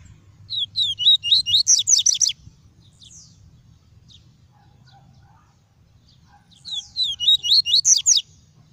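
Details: Pure tuí tuí song of a caged double-collared seedeater, played to stimulate other birds and tutor chicks: two fast runs of sharp, high chirping notes separated by a few seconds of near silence, with a low background hum.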